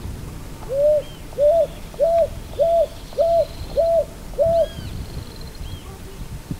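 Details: Picui ground dove repeating seven clear cooing notes at an even pace, each a short upswept then level tone, with faint higher chirps and whistles from other birds and a low rumble behind.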